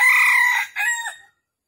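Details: A red junglefowl call played for trapping wild junglefowl in Vietnam, morning of 13 December 2021. A loud, harsh held note breaks off, followed by a shorter falling note that trails into silence.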